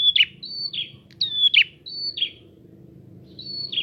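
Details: Prinia singing to provoke rival prinias, a lively series of high thin whistles and buzzy down-slurred notes, several phrases in quick succession then a pause, with low background rumble.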